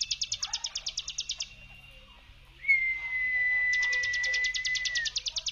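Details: Hill prinia 'brem' lure song, rhythmic dry buzzy pulses about three per second, broken by a pause and a long level whistle before the pulsing resumes.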